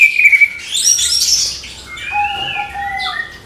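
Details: Orange-headed thrush's morning song for motivating young thrushes: a rapid stuttering burst of high notes, then smooth drawn-out whistles layered in a few descending tones.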